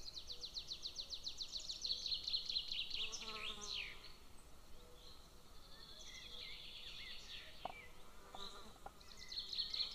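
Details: Golden eagle eaglet at its nest beside a military training ground, 22 June 2024, giving long runs of high, sharp, quickly repeated whining notes, some sliding downward, with a few soft clicks and knocks later on.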